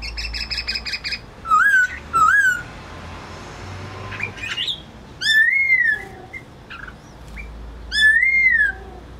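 A laughingthrush gives loud, rich whistled phrases that rise then fall, repeated every couple of seconds, with softer chirps and faint background hum between.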